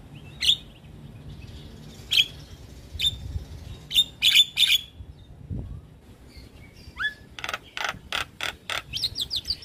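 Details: Javan myna singing to lure other mynas: isolated sharp high whistled notes spaced about a second apart, a descending slurred whistle, then a quick run of harsh pulsed notes and rapid slurs at the end.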